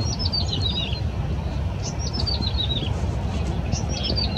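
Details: Yellow-bellied prinia at Yingfeng riverside park beside the Keelung River, 14 April 2017, singing short descending series of thin, high notes, repeated three times, over a constant heavy low rumble.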